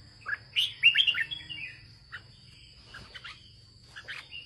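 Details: Northern 'ché' singing from a farmer-kept Red-whiskered bulbul: a loud cluster of quick, rich warbled notes, then sparse short chirps after a pause, accompanied by a steady high hum.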